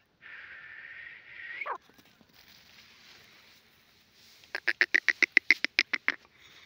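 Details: Grey francolin voice from Pakistan, played to lure wild francolins for hunting: a long, harsh drawn-out note, a pause, then a rapid run of about thirteen loud, evenly spaced clucking notes.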